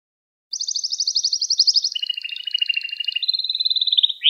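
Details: Gloster canary song for stimulating other canaries: after a brief silence, a sustained fast trill shifts into lower rolling phrases and a steady whistled tour, closing on an upward-sliding note.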